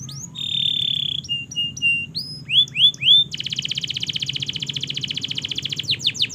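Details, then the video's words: Training song of a canary for young birds learning to sing: a steady whistled note, clipped short notes, three rising slurs, then a long, rapid, even trill of repeated notes. "Masteran Kenari Gacor Panjang‼️Cocok Untuk Pancingan Kenari Belajar Bunyi dan Macet Bunyi"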